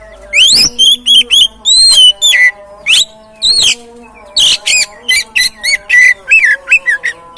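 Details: Oriental magpie-robin singing to prompt other birds to sing: loud, varied whistles and slurred chirps in fast succession, some long sweeping notes, over a faint steady low hum.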